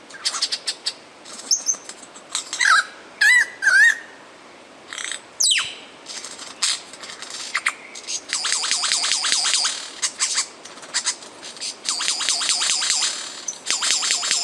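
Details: Male lyrebird from Australia singing a mimicry song used for courtship and territory defense: a varied medley of clear whistles, sharp downward sweeps, a loud descending laser-like slide, and rapid dry rattling trill bursts repeated in quick succession.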